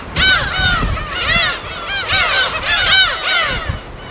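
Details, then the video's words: Gull colony on an uninhabited island in the Yellow Sea, Korea, recorded in the wild; repeated clusters of bright, curved, laughing cries from many birds, with soft wave sound. "파도소리와 갈매기소리"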